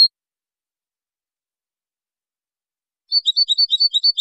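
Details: Training recording of European goldfinch song from 2023: a brief high click at the start, three seconds of silence, then a bouncing run of high paired chirps, roughly eight per second.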